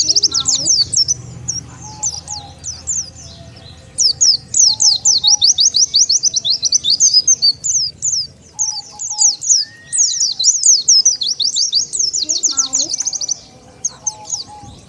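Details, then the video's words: Long run of Oriental white-eye lure calling aimed at attracting wild birds: fast, rhythmic high chirping about four notes a second, briefly pausing, then resuming, with soft low whistles now and then. "SUARA PIKAT BURUNG PLECI SANGAT AMPUH,DENGAR SUARA INI BURUNG PLECI LIAR LANGSUNG NGUMPUL"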